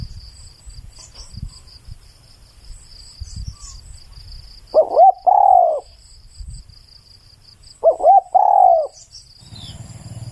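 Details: Spotted dove song, loud and clear, with two cooing phrases about three seconds apart near the end. Each phrase is a pair of short upturned hoots and then one long, sagging coo, over a steady high-pitched background whine.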